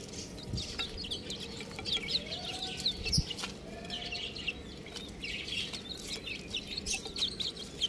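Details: Little chickens peeping in a busy flock, high short chirps coming in dense runs, with a few brief clicks and quiet rustling.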